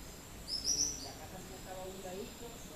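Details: A Rufous-breasted wren in Barinas, Venezuela, gives one brief, high, whistled phrase of a few quick notes over a low murmur of background noise.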